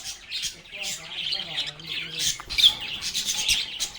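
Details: Playing and talking lovebirds giving harsh squawky chirps over steady high chatter, with a faint low droning tone in the background for the first half.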